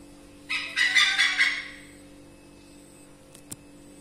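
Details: Wild pied hornbill, known in Malay as enggang tangling, visiting a backyard garden and seen through a dark window; one harsh, cackling burst of rapid notes lasting over a second, then quiet with a steady low hum.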